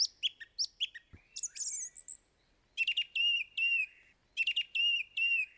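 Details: Song thrush (Turdus philomelos) singing: bright clipped chirps, a brief high twittering burst, then a crisp phrase of quick staccato notes ending in a downslurred whistle, delivered twice in identical form; clean, quiet background.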